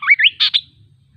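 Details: Kaso kaso bird giving a short phrase of two rising whistled sweeps followed by two harsh, broadband buzzy notes, then silence.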